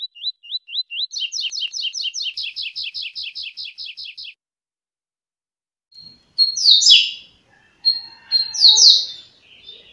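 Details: A double-collared seedeater (coleiro) singing rapidly, about 30 songs in one minute: a fast, high trill of slurred, chattering notes for about four seconds, then after a pause a few louder, sharp bursts.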